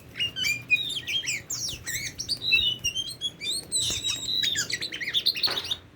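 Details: Tame Oriental magpie-robin giving a lively stream of whistled and chirped notes, rising and falling quickly, ending with a harsh rasping burst.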